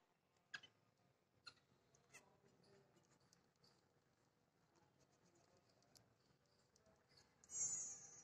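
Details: A scaly-breasted munia (spice finch, Lonchura punctulata) kept as a home bird gives its very soft song: faint high ticks and clicks, ending in a thin, drawn-out whistle.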